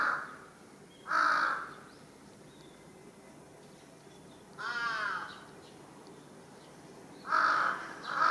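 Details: Large-billed crow (Corvus macrorhynchos) making a commotion atop a utility pole in a Japanese residential area, 1 July 2023: loud, hoarse caws at intervals of several seconds, some drawn out and wavering, over faint background hiss.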